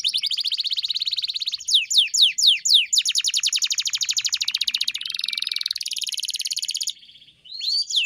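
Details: Canary song meant to train a pet canary: a steady fast trill, a run of descending whistled slurs, then extended rapid pulsed trills and a buzzy roll before a short pause.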